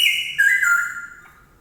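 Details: Straw-headed bulbul, its voice described as loud and ringing, giving a brief, rich whistled phrase that slides down in two steps and fades away; no other sounds stand out.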